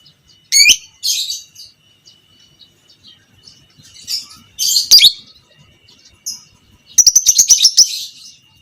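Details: Fighter lovebird, biola pb creamino colour, whose chatter is played to train other lovebirds: separate harsh shrill squawks and squeaks, ending in a quick trilled series of about ten high notes.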